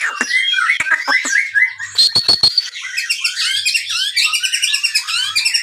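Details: White-rumped shama kept for breeding, singing a lure song to stimulate other birds: sharp clicks and rattles among tumbling whistled phrases, with a fast high twittering sequence in the second half.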